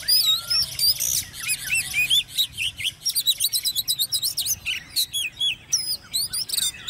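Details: Ten-month-old caged oriental magpie-robin, raised by hand from a nestling, singing in competition style: a dense, fast stream of varied high whistles, slurs and squeaky notes with almost no pauses.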